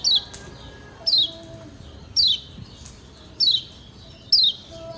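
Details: Lemon-bellied white-eye, Lombok, master song for training other birds: five clear, high downslurred chirps, each a short falling whistle, repeated roughly every second over a quiet, low background.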